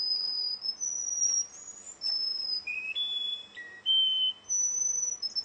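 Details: Russian canary contest song made of long, pure, piping whistles held at shifting pitches, some dropping to lower tones and climbing back high, nearly continuous throughout.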